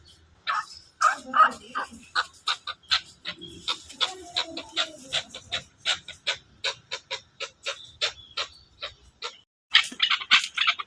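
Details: Chukar partridge from Pakistan giving a steady series of short, sharp clucking notes, about three each second, with a brief louder burst near the end.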